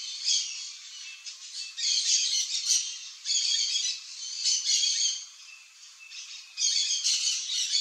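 Yellow-chevroned parakeets give harsh, shrill squawking chatter in bursts of about a second, nearly continuous, with high scratchy notes overlapping from a pair.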